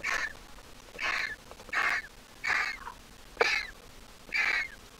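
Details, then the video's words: Griffon vulture nestling hatched 20 April 2023, placed in the nest on 30 April, now grown. Loud, harsh squeaks with a downward slur come about once a second. "The Griffon Vulture nestling is all grown up but still a squeaker."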